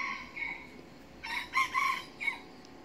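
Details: An 8-month-old junglefowl rooster being trained as a decoy, on one of its first few forest outings and still shy, gives a short, hoarse, rising-and-falling crow, with softer fragments before and after, over a quiet forest background.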